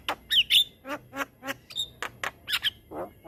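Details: Rolling song of a black-winged myna, used to tutor other mynas: quick whistled upslurs and harsh nasal notes alternating in a fast stutter, each burst about a third of a second apart, over a faint background hum.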